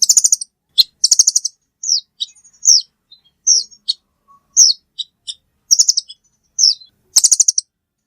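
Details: Velvet-fronted nuthatch alternating quick bursts of shrill chips with single down-slurred high notes and faint softer ticks; no other sounds.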